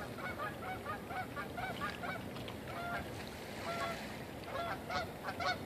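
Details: Canada Geese calling at a shoreline in Canadian winter, Mallard Ducks also present; steady overlapping honks repeated about once a second from several birds, over constant wave and water noise.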